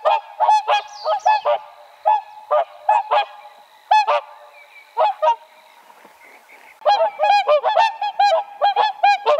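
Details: Whooper Swan trumpeting in groups of resonant honks, then a quiet gap of about two seconds, then a fast, overlapping burst of bugling calls from more than one bird.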